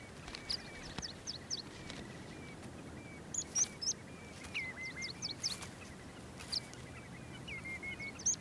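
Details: Whimbrels at a dense summer breeding ground in short tussocky grass in Iceland give clear whistled calls that slur down into brief rippling trills, over a busy chorus of sharp, high chips from other birds and a light wind hiss.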